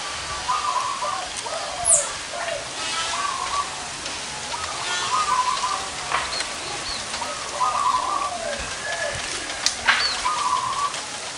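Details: Zebra doves with large and small voices gathered together at one site, heard by bird trappers. Soft, purring trilled coos repeat about every one to two seconds against a steady hiss like rain, with occasional sharp clicks.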